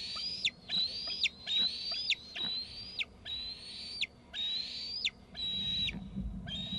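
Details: Two eaglets off the nest in a tree, both screeping after an adult arrived with food: repeated high whistled notes, each rising slightly then dropping sharply at the end, about one every 0.7 seconds, over low rumble.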